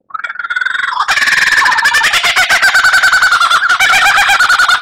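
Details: Loud master song of an Oriental magpie-robin for training captive birds: a short rising whistled intro, then a fast, continuous rattling chatter of about three notes per second over a warbling tone.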